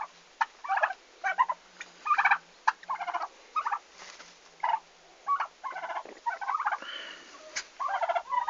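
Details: Domestic turkeys on a farm in Estonia on the day they arrived, 11 August 2015: rapid rattling gobbles in bursts roughly every half second to second, dense and harsh, repeated throughout.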